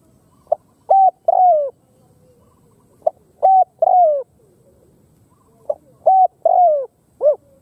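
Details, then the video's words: Khmer spotted dove giving three matching phrases about two and a half seconds apart, each with short soft notes then a long falling coo, ending with one extra short coo. "Khmer Spotted Dove Sound លលកខ្មែរ"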